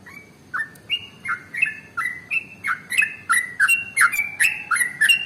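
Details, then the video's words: Sooty-headed bulbul, called trucukan, singing a long run of bubbly notes used as a lure to get other birds singing: short rising-then-flat whistled phrases around two to three per second, with faint background hiss. "SUARA Trucukan ropel SUPER PANJANG paling AMPUH untuk PANCINGAN burung gacor"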